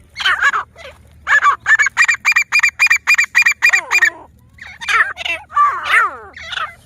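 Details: Grey francolin, known locally as teetar, giving its loud repeated call: a steady run of about ten sharp evenly spaced notes, then wavering descending slurred notes and looser harsh calls, over a faint low hum.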